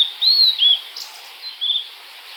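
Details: Blue-and-white flycatcher (Japanese Ōruri) song: a brief run of clear, high whistled notes, the first arching up and down, followed by softer slurred phrases over faint background hiss.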